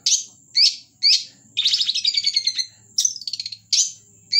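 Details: Actively singing Long-tailed shrike, an Indonesian hobbyist bird: sharp upward-slurred whistled notes spaced about half a second apart, broken by a rapid buzzy rattling chatter, close and clear.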